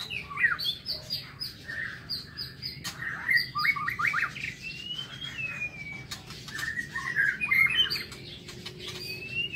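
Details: White-rumped shama in an aviary singing in the morning, pouring out rich, varied whistles and short chattering notes in rapid bursts, with long rising slurs between phrases and a few sharp clicks, against steady low background noise.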